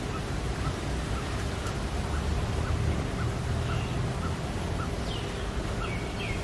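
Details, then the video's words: Coppersmith barbet giving a steady series of soft hollow notes, about two each second, under heavy broadband background noise, with a few brief sweeping calls from another bird near the end. "Coppersmith barbet"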